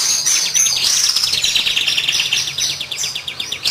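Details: Kapas tembak lure song for training birds, a fast, continuous rattling chatter of high clipped notes, steadily repeated several times a second.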